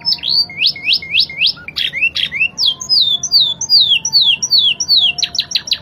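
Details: Spanish Timbrado canary in full Spanish-style song with a crystal-clear voice: bouncy hooked whistles, a cluster of scratchy notes, a string of gliding downward slurs, and a closing burst of quick sharp chips.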